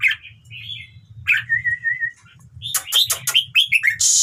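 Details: Red-whiskered bulbul song meant to excite other birds into singing. Warbled phrases and a drawn-out slurred note lead into rapid clipped chirps and clicks, with a low background hum.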